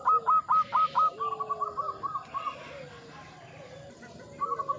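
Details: Zebra dove of local stock, mature and keen to sing, opening with loud rapid staccato coos that fade into softer rolling notes, as lower drawn-out coos from other doves sound behind.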